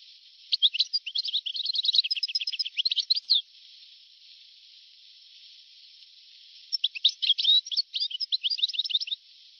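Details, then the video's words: European goldfinch singing on an old 1982–1990 recording: a three-second burst of rapid tinkling, twittering notes, a hissy pause of about three seconds, then a second lively twittering phrase. "تغريد حسون قديم جدا (1982-1990) صوت رائع"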